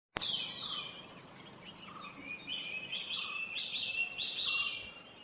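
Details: Silver-breasted broadbill in Bogor: a busy run of short chirping and trilled notes, high and slightly wavering, some low soft notes beneath, over a steady high-pitched electrical-like whine.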